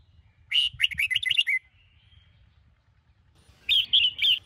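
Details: Sông Kôn red-whiskered bulbul singing in a morning training session: a rapid run of rich, slurred whistled notes, a pause, then a second shorter burst of bright warbles.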